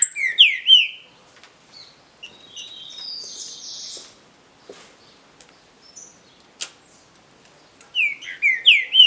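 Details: Green-winged saltator singing contest, with a short burst of rich whistled, slurred notes at the start, a long stretch of thin high buzzy notes and clicks, then another burst of descending whistled notes at the end.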